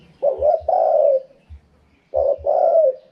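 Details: Spotted dove giving a wild-style 'karom pa' cooing phrase, twice: two quick low coos followed by a longer, slightly falling drawn-out coo, with a pause of about a second between phrases; faint low taps beneath.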